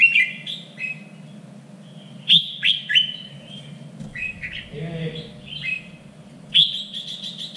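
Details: Red-whiskered bulbul song used to train contest birds, standard voice of Vietnam's three regions: bright warbled phrases in quick succession, a brief soft voice-like sound midway, then another loud flourish; low hum throughout.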